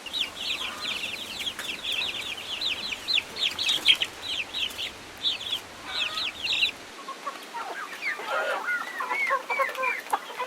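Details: Chicken on a farm giving rapid runs of short, high, thin peeping notes, steady and crowded for about seven seconds, then lower, more varied chirps and clucks toward the end.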